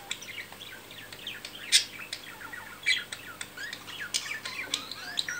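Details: Budgerigar courting after mating, giving a dense, busy chatter of short squeaky chirps and buzzy notes with several louder sharp clicks.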